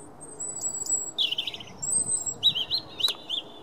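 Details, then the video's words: Robin song recorded on 9 March 2017: thin, high whistles and quick, warbling phrases, each pitched differently, over a faint background hiss. "Robins song"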